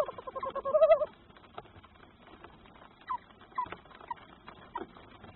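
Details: Male tawny owl (Strix aluco) calling as he delivers food to his brooding mate: one loud, wavering, tremulous call of about a second, followed by a few soft, short notes.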